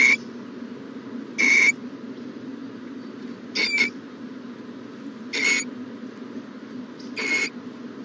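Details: Owl at a nest box during the morning of January 14, 2020, giving spaced, harsh hissing bursts roughly every two seconds, some softer than others, over a steady low hum.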